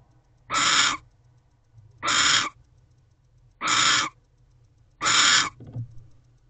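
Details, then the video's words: At a nest box on the night of 1 January, where a barn owl pair mated and another owl came too close, four rasping, hoarse screeches sound at steady intervals of about one and a half seconds. "He And Ava Mate, Another Owl Is Too Close."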